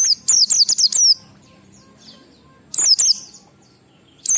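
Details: High ngalas song of an Oriental white-eye, 12345-beat type, intended to spur other white-eyes into singing; a rapid string of six sharp falling squeaks, silence, then three more and a final note.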